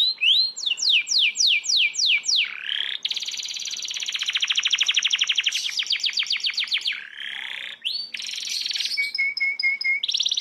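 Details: Canary rolling song played back as a master recording to train competition birds: rapid rolls and trills, sweeping whistles, buzzy stretches and repeated chip series changing every second or two.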